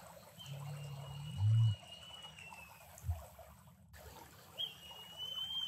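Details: Low, resonant boom from a male Great Curassow in Costa Rica, about a second long, then a brief faint second boom. High, drawn-out whistles from another bird sound over a constant hissing background.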